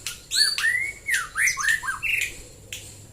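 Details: Morning song of a white-rumped shama, a string of looping, slurred whistles that arch up and down, some harsh and squawky, given in quick succession over a faint low hum.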